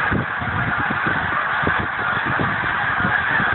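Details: Huge goose flock, previously resting on a frozen lake in Pemberton, New Jersey, takes off in December 2010; constant overlapping honks blend into a roar, punctuated by rhythmic low wingbeat pulses.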